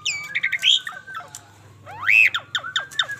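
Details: An Asian pied starling, a bald bird, gives a lively jumble of harsh squawks, chattering notes and rising-then-falling whistled calls in irregular bursts. A low hum runs underneath.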